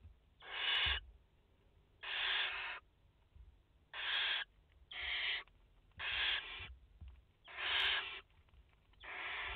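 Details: Barn owl mother and four chicks at their nest in France, 30 August 2021: seven harsh, breathy screeches of under a second each, spaced about a second apart, quiet thumps between.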